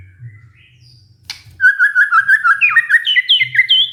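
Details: Lure song of a white-rumped shama, used to trigger a stressed bird into singing: quiet faint notes, a click, then a rapid series of clear whistled notes that climbs steadily higher.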